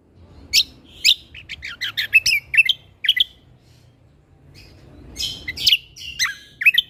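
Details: Cucak kombo, known in English as lesser green leafbird, in busy tutoring song: rapid sharp chirps and slurred whistled notes in two runs separated by a quiet gap near four seconds.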